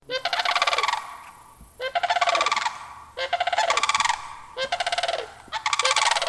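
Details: Sandhill crane giving loud, rolling, rattled calls, four in quick succession, each about a second long and trilled with rapid pulses, ending in a falling note; brief quiet gaps between calls.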